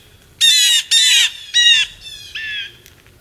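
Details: Noisy blue jays at a feeding frenzy in Maine, United States, in December 2023: three loud, rasping jeers in quick succession, followed by two softer, fading nasal calls.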